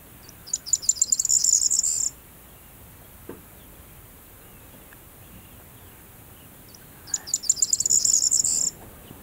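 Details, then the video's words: Corn bunting (Miliaria calandra) in a field of yellow-flowering rapeseed, singing twice five seconds apart: each song a quick stutter of high ticking notes speeding into a dry, jangling jingle, over faint background hiss. "Corn Bunting singing / Presura sura cantand"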